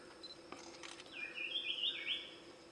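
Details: Large scimitar babbler (Pomatorhinus hypoleucos) gives a quick, fluid, warbling phrase that slurs down and then bubbles along at a fairly high pitch, after a few faint ticks and chirps.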